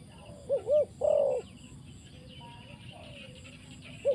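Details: Spotted dove used as a decoy in trapping gives two quick coos and a drawn-out coo. Quieter murmuring follows, then a short coo begins at the very end. Faint high chirps sound behind.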